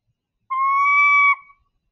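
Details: A northern saw-whet owl, a species common in canyons, gives its scream-like call: one drawn-out, steady, whining note lasting under a second, high and slightly nasal, with a brief fading tail.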